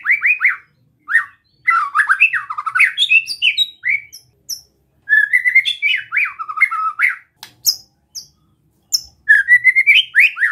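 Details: White-rumped shama in relaxed besetan song aimed at provoking other shamas, with long fast runs of rich slurred whistles and warbles, interspersed with high sharp notes and brief pauses between phrases.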